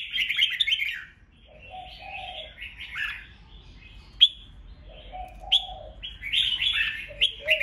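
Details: Red-whiskered bulbul ché fighting song for provoking rivals: bursts of bright, buzzy chirps broken by short gaps, with a lower, softer warbling voice answering between phrases and sharp clicks now and then.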